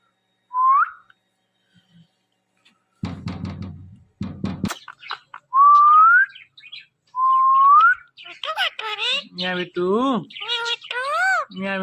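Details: Pet Indian ringneck parrot indoors while watching its own videos: a few clear rising whistles, then a burst of loud, harmonic, speech-like squawks and chatter toward the end, with sharp clicking noises in between.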